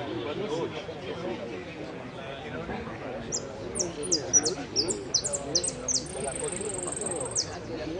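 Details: Hooded siskin at a Pirán singing competition, 15-01-17, 'amarillo sin cierre' class, fifth place: quickly repeated high chips and whistles accelerate into a long even buzzing trill, with men talking in the background.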